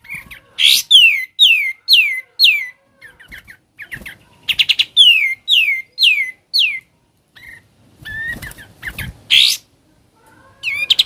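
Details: Sooty-headed bulbul with ngebren-style singing: loud, high, down-slurred whistled notes in uneven bursts separated by short clicks, gaps and a few softer scratchy calls.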